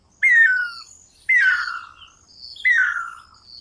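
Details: Guira cuckoo singing in South America: three loud descending whistled notes, each sliding downward and fading, spaced about a second apart, with faint high chirping from other birds behind.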